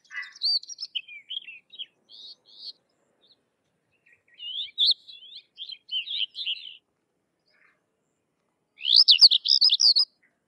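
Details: Sykes's lark delivering loud bursts of jumbled, twittering song in three separate phrases with silent pauses between, the last phrase sharp, dense and emphatic.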